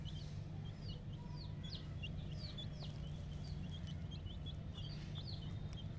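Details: Poultry-farm chicken chicks, ten days old, calling with clear curved high peeps in quick irregular series, a few louder chirps standing out from the group, against a steady low drone.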